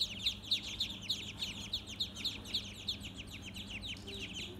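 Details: Baby ducks on a farm, a flock peeping steadily: bright, high, downslurred cheeps repeated several times a second, some louder notes standing out from the chorus.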